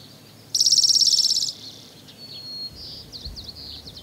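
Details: Spotted towhee on Lummi Island, Washington, gives one loud, dry, buzzy trill of about ten rapid notes lasting a second, followed by faint high twittering from other small birds.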